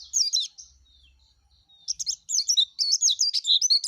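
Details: A yellow-breasted white-eye gives a short high twitter, then a thin drawn-out whistle. An excited stream of quick chattering, warbled notes follows and builds to the end.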